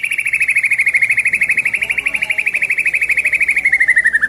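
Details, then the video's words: Caged white-rumped shama of the Medan type, 11 months old, 24 cm, kept for song contests and said to sing often and loudly with a full repertoire of mimicked phrases. It gives a fast, even, pulsing trill that holds steady, then slides slightly downward. "Memaster Full Isian Langsung Dengan Merdunya Suara Murai Batu Medan Super PE 24 Cm"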